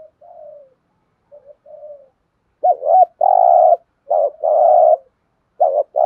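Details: Spotted dove thúc gù coo. It starts with faint, low, falling murmurs and builds into repeated phrases of a bouncing double note plus a long, steady, loud coo. The phrases come about every one and a half seconds.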